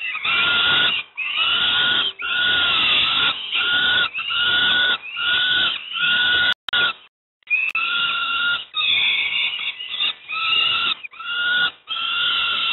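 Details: Young peregrine falcons at Moszna, Pruszków, Poland, getting breakfast keep up a long series of loud, hoarse, wavering screams, each around a second long, with one brief break midway.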